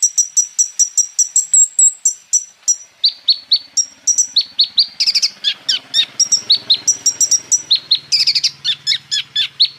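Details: Olive-backed sunbird full song with 'roll tembak' fillers, used as a lure to get other sunbirds singing: rapid run of very high, sharp chirps and paired whistled notes, then a denser burst of buzzy notes over a faint low hum.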